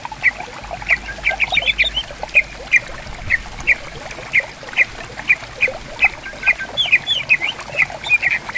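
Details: By a clear, calmly flowing river in bamboo forest, Greater green leafbirds answer one another with a long string of crisp, sharp chirps and short twitters, repeated about twice a second, backed by steady gurgling water.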